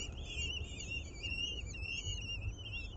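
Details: Common kestrels at an urban nest in a ninth-floor planter in Aguadulce, Almería, as the female feeds a swift to the chicks and the male brings a chameleon: high, wavering, overlapping calls running on without pause over a steady low rumble.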